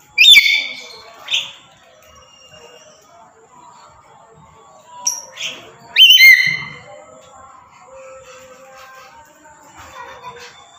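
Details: Black-capped lory kept as a tame pet, calling with loud harsh shrieks: a pair near the start, then fainter squeaks, then another strong screech burst around midway, followed by low background noise.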